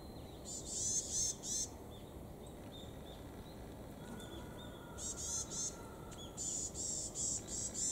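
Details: Two varied tits call back and forth at Kitamoto Nature Observation Park, Japan, trading bursts of high, thin, rapid calls in three clusters over a steady high insect-like hum and low background noise.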